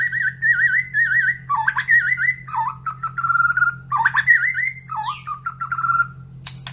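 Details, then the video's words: Caged white-rumped shama in a round cage placed beside a breeding enclosure, agitated or in breeding condition: varied, rich whistled phrases with wavering notes, abrupt sharp notes and slurred rising whistles, over a steady low electrical hum. "Ocehan Murai Batu"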